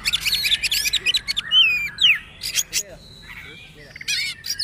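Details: Oriental magpie-robin, poci type, in trotol style as training material for caged birds to imitate: dense high chattering, then clear slurred whistles rising and falling, with a thin held note near the end.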